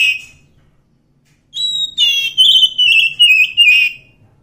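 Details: After silence, a wild Oriental magpie-robin gives one song phrase: a sustained pure whistle, then a run of wavering, gradually descending whistled notes lasting about two seconds.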